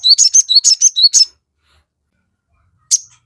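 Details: Crested jay (sogon) song used as a lure for other birds: a quick burst of about eight sharp high notes, some with rising whistled starts, then silence and one final chirp.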